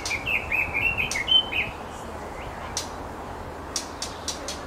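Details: A pair of White-rumped shamas feeding babies in a nest on the North Shore; a quick run of bright whistled notes in the first two seconds, then sharp clicks and quiet background hiss.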